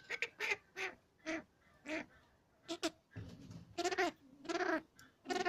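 Cabot's tragopan giving harsh, nasal, honking notes in uneven bursts, about one to two a second, some short and some drawn out.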